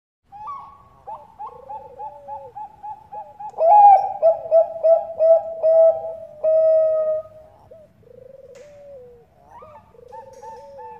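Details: Bangkok-type zebra doves used as a lure, female calling male: trilled, stuttering coos on two overlapping pitches, a louder burst of rapid rolling notes midway, then softer coos resume.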